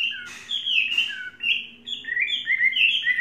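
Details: Tame caged Chinese hwamei kept for three seasons, singing a flowing run of loud, clear whistled notes that slur up and down, with short pauses between phrases and a faint low hum in the background.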